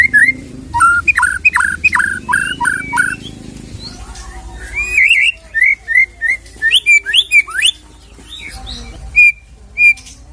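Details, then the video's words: White-rumped shama song used to provoke a shama into singing: a run of repeated falling whistled notes, then varied rising and falling whistles and chirps, over a low background hum. "KICAU ISIAN INI"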